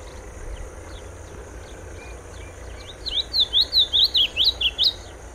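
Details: Sayaca tanager song: after a quiet start, a quick burst of eight or nine high, squeaky zigzag notes in about two seconds, with soft background hum.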